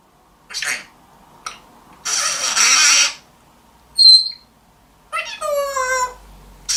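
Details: African grey parrot (Psittacus erithacus) giving a varied string of calls: short raspy bursts, a harsh two-second screech, a clear high whistle, then a drawn-out, meow-like wail.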